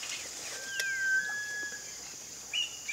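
A Sunbittern gives a long, thin, level whistle held for over a second, then a brief higher note, over a steady high insect hum.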